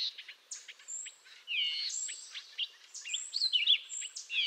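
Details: Eastern North American Canada jay uttering a rapid mix of clipped chirps, bending whistles and warbled notes, loudest toward the end, with a faint high sustained tone from another bird above.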